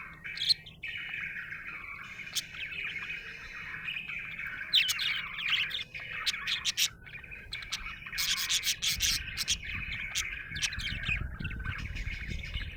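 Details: A happy budgie chatters in a steady, scratchy warble broken by sharp ticking chirps, growing busier toward the end over a low rumble.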